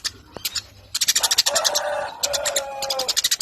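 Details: Eurasian tree sparrow giving a long chattering run of rapid, high chirps repeated several times a second, with a lower drawn-out tone beneath and background hiss.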